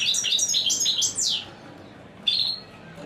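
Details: Song of a royal goldfinch: a rapid chain of tinkling, high chirps ending in a falling slur, then a pause and a single sharp note.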